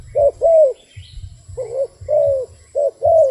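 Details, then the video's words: A wild dove gives short two-part coos, a brief hoot followed by a drawn-out, slightly falling note. There is a pause between phrases and a low droning hum underneath. "លលកព្រៃនេះសម្លេងល្អគួរសម🤩🕊This wild dove sounds pretty good."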